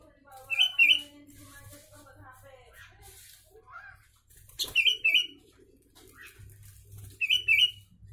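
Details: Sooty-headed bulbul with a Javan myna repertoire, recorded as training material: bubbly whistled phrases repeated three times, early, mid-clip and near the end, with soft chatter and a wing-flap-like rustle between, plus a low hum.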